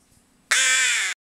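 A rook gives a single harsh, drawn-out caw lasting over half a second, raspy and slightly falling in pitch, begging for food.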